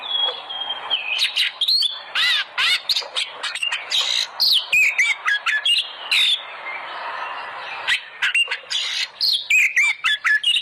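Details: Kacer, oriental magpie-robin, lure song meant to make pet birds sing loudly: long sequence of rapid harsh chatters, whistled slurs and scratchy trills in short repeated bursts.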